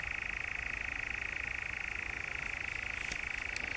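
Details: European nightjar churring in the Brecks, Norfolk, on 7 July 2017: a steady, unbroken mechanical trill held at one pitch throughout, with a few faint clicks near the end.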